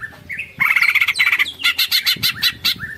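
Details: Greater green leafbird in ngekek song style with tengkek phrases. A brief rising whistle leads to a harsh, sustained chattering phrase, followed by evenly spaced loud chip-like bursts repeated rapidly.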